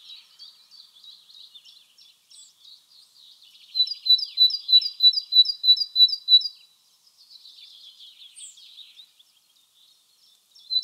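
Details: Great tit (Parus major) singing in spring in the wild: a bright, regular series of paired high notes repeated quickly about eight times, framed by fainter, softer twittering before and after.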